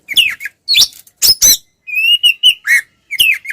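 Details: Oriental magpie-robin, a kept bird, singing to provoke rival males in fighting style: harsh chattering notes followed by a steady whistle, a dipping slur and more rasping chips.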